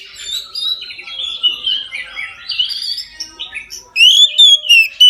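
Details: Oriental magpie-robin at midday giving its full song, used to encourage other magpie-robins to sing: a long, soft, meandering warble of sliding whistles, ending in louder sharp whistled notes repeated quickly.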